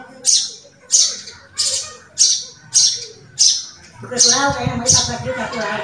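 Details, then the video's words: Javan bushlark from a 2022 training compilation, giving sharp, high notes at a steady rhythm of about one every 0.6 seconds. Louder low background sounds, similar to voices, come in during the final two seconds. "Kumpulan masteran burung branjangan terbaru tahun 2022"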